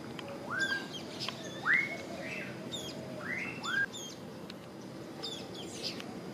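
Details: Social flycatcher singing in the morning: a run of short, rising, slurred whistled notes, several in quick pairs over a few seconds, with faint high chirps from other birds and a low background hum.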